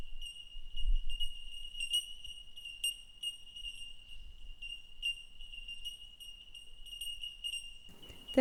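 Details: Bell Miners (bell birds), a colony in the canopy of open eucalypt forest at altitude on the Great Dividing Range, chorus in clear, high, bell-like 'tink' notes, overlapping and repeating, over a low wind rumble with a brief rustle at the end.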